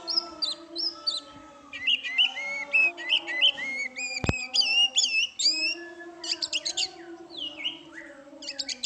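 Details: Oriental magpie-robin singing a full, varied song: bright whistled phrases, repeated slurred notes and quick chattering trills, one loud click midway.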